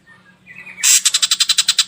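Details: Ashy drongo lure song for prompting other birds to sing: a soft rising murmur gives way to a loud, rapid rattle of about ten rasping notes.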